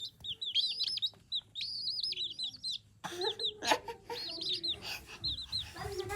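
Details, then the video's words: Chicks peep in a shrill, overlapping chorus of quick arched cheeps, several each second, with rustling and clatter joining in over the second half. "The sound of chicks"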